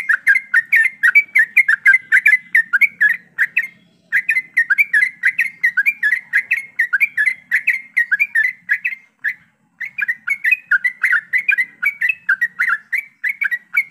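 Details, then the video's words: Many yellow-vented bulbuls in ropelan style, played to get birds singing quickly. Continuous busy, bubbly chirping and warbling that goes on almost without a break, with two short pauses. "TRUCUKAN ombyokan,TRUCUKAN ROPELAN untuk bahan cepat bunyi"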